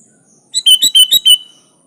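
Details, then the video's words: Singing sooty-headed bulbul, 'gacor full isian alam' style, recorded as a master for tutoring other bulbuls: a single rapid phrase of five loud, clipped, chirpy notes lasting under a second, with a steady high tone behind. "Suara Burung Kutilang Gacor full isian alam"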